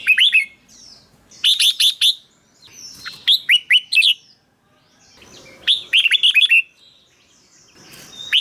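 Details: Red-whiskered bulbul singing, a recording used as a decoy or to stir up other birds. Three bursts of rapid, cheerful whistled notes are separated by short quiet gaps.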